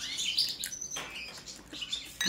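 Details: European goldfinch, subspecies balcanica, in a song check: a brief run of fast, thin twitters and chirps with a few soft clicks between phrases.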